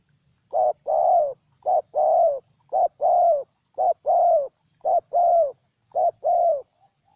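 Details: Spotted dove from Ninh Thuận, Vietnam, cooing loudly and close: five pairs of low hollow notes, each a short coo followed by a longer, slightly falling one, repeated about once a second, with a faint low hum beneath.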